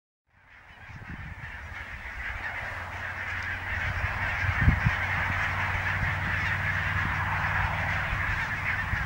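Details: Barnacle geese at Niittylahti, Savonlinna, on 5 October 2017: a dense, continuous chorus of many overlapping yelping honks that fades in from silence and builds, with low rumbling wind or handling noise underneath.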